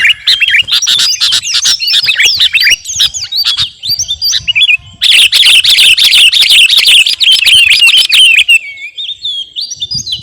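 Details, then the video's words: Sooty-headed bulbul of the type called kutilang garuda, singing vigorously as a training recording for caged birds: dense, fast run of bright chirps and short whistled slurs, a brief pause near five seconds, then an even busier burst. "KUTILANG GARUDA GACOR..!! SIAP TEMPUR KICAUAN"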